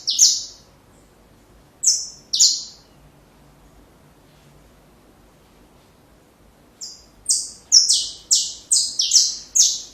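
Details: Saffron finch singing, a recording meant for teaching young birds: three sharp descending notes early, a long silence, then a fast burst of about eight bright, slurred chips toward the end.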